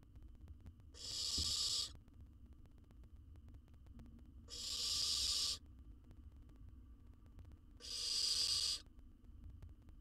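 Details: Baby owl in a wild nest box in Israel, watched by a research camera as it swallows a jird. Three even, snore-like hisses repeated about every three seconds over a low background hum.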